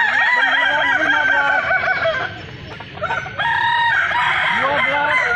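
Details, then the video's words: Several Balenggek roosters crow together at a festival in Kota Solok, with long drawn harmonic crows and rapid stepped syllables overlapping. There is a brief quieter gap midway. "festival ayam kukuak balenggek"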